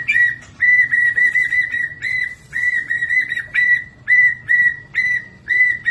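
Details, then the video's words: White-rumped shama giving a steady whistled note repeated in bursts roughly twice per second, each note level in pitch with a slight flick at the end. "Kelincahan MURAI BATU SUPER dalam berkicau"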